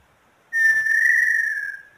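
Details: A female small-billed tinamou, a bird of wide range across Brazil, sings one long, pure whistle, even and steady, gently sinking and fading near the end in otherwise quiet surroundings.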